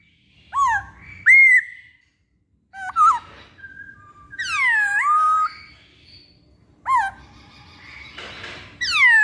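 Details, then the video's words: Masked laughingthrush, named poksay Hongkong, on a lure recording. Loud rising and falling whistles come in scattered bursts with pauses between them, including a long descending whistle, along with a brief noisy rasp near the end. "Pancingan Poksay Hongkong"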